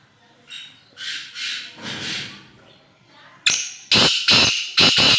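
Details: Kept black francolin (kala tetar) utters a few soft rasping notes, then a series of four loud, grating, harsh calls at roughly half-second intervals.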